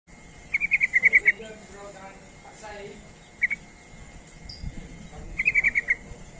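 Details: Yellow-vented bulbul lure call meant to draw replies from other bulbuls: two bursts of rapid, bubbling chattered notes and one short double note, heard over a steady low background hiss.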